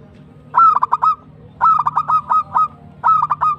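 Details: Local zebra dove (perkutut) singing in the tumbak cucukan style; three loud phrases, each a quick run of four or five short, clipped cooing notes ending on a held tone, about one second apart, over a low steady hum.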